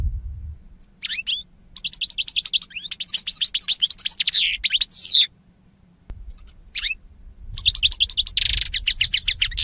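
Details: Captive-bird training song of a European goldfinch, lively twittering runs of rapid notes, a drawn-out buzzy call, a brief silence, then more quick chattering phrases.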